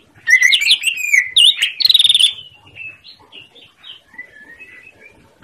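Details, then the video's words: A greater green leafbird's master song to make silent birds answer: an energetic two-second outburst of whistles, chatter and a buzzy rattle, then softer scattered whistled notes. "Masteran Cucak Ijo Gacor l Yang Macet langsung nyaut"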